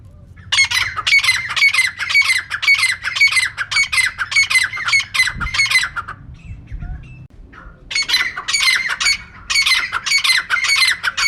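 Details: Long series of rough, repeated squawks from a female teetar, close to two per second, broken by a quiet gap of about two seconds before the calling resumes. A natural sound for catching birds.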